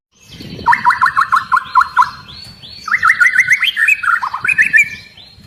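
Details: Long-tailed white-rumped shama, agitated and prompting other shamas to sing, delivers two loud, rich, warbled phrases of rapid whistled notes, each about two seconds long, separated by a brief gap.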